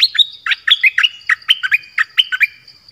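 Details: Dok taeng bird used as a decoy, recorded in a forest on 13 January 2021 while calling for a mate: a lively stream of sharp, chirpy notes that jump up and down in pitch, about four per second, over a faint high hum.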